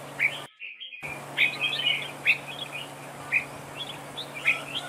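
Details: Red-whiskered bulbul singing in a trap duel, used as a decoy: clear whistled notes and short warbled phrases repeated about every second, broken by a brief gap, with a faint hum behind.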